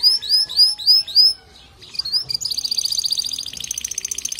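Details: Male canary singing so a female will build her nest: four loud upslurred whistles about a quarter-second apart, a brief pause, then a dense buzzy rattle.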